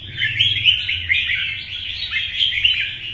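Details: Red-whiskered bulbul, a mature wild-caught cage bird, giving competition song in morning sun: loud, tightly packed chirps and whistled slurs with several sharp accented notes, over a soft low rumble.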